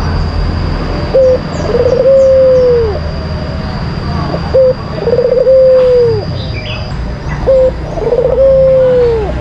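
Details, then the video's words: White collared dove lure song from a kept contest bird: three phrases, each a short coo followed by a trilled start and a long smooth coo that bends downward, roughly every three seconds. "Pancingan Puter Putih Terampuh , Full Gacor"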